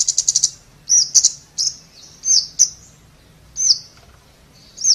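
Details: Scarlet-backed flowerpecker opening with a quick run of high ticks, then thin sharp chips and slurred notes at irregular intervals, very high pitched.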